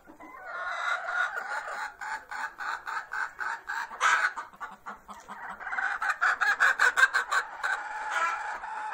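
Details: Hen singing before laying eggs: a loud run of rhythmic, harsh clucks about three per second, building in intensity with a louder squawk near the middle, then a second rising burst of rapid clucks.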